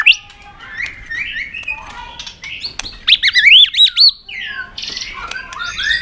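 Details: White-rumped shama excited into intense fighting song, flicking its tail on its perch during song training. Quiet varied warbling, then a loud run of looping, swooping whistles, then a short buzzy phrase.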